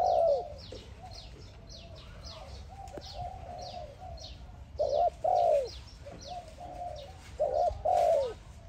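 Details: A spotted dove, recorded as a sound trap calling another dove, gives soft, low paired coos in short bursts a few seconds apart, over steady high chirping from small birds.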